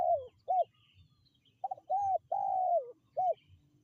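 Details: Spotted dove cooing to call wild birds in: a quick run of six coos, short hooked notes mixed with longer falling ones, mellow and mid-pitched, faint low background murmur.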